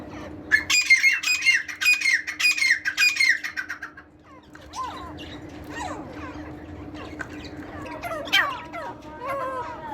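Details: Tetar (partridge) singing: a loud burst of harsh, ringing notes repeated rapidly for about three seconds, then softer scattered squeaky chirps over a steady low hum.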